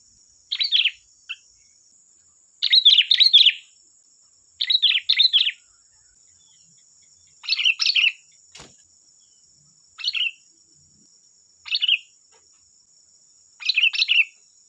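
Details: Sooty-headed bulbul singing a lure song meant to provoke other bulbuls into answering: short bubbly, chattering whistled phrases in seven bursts, spaced about every one to two seconds, over a steady thin high-pitched electronic whine.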